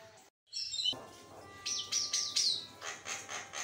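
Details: Javan myna singing actively, used as a lure to get lazy mynas to sing: a quick run of high whistled, wavering notes, then harsh, broadband chattering bursts repeated roughly every half second, with a person's voice just afterward.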